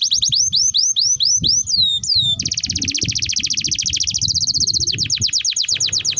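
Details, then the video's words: Canary lure song for young canaries: a string of looping rising whistles, followed by a long, very fast, even trill that steps down in pitch before ending in separate slurred notes. "Pancingan Burung KENARI Gacor Panjang || Masteran Kenari Paud"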